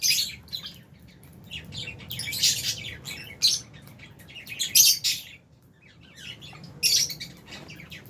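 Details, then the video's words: Shrill chirps from albino and Fisher's lovebirds come in uneven bursts, with piercing high notes near the fifth and seventh seconds, separated by brief quieter gaps. "Lovebirds Chirping Sounds"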